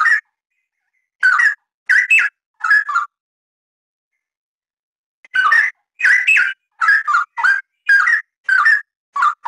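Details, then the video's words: Cucak rawa, the straw-headed bulbul, singing in the busy 'gacor rapat' style used to tutor cage birds: liquid, gurgling whistles in quick paired phrases, a silent gap of about two seconds, then a steady stream of rolling notes. "Suara Kicauan Burung Cucak Rawa, Rowo Gacor Rapat Cocok Buat Masteran"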